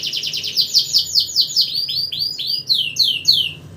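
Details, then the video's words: Canary singing at night as a tutor for other songbirds: fast rolling chains of sharp, descending then rising notes, loud and continuous throughout. "kenari burung masteran saat malam hari pun tetep gacor"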